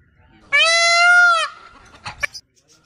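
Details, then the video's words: Indian peafowl (peacock) in an aviary gives one loud, nasal, trumpeting wail lasting about a second, followed by a few faint knocks. "Peacock sound"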